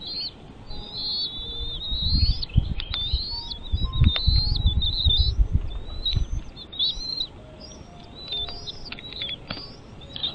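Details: At a bald eagle nest with chicks, a run of high, thin piping whistles repeats rapidly and unevenly, with low rumbling and thumping noises during the first half.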